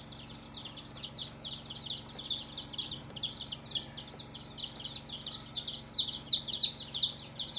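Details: Baby chicks on their first day, a group peeping nonstop: high, shrill, downward-sliding cheeps overlapping in a dense chorus, about three per second, louder toward the end; faint steady low hum beneath.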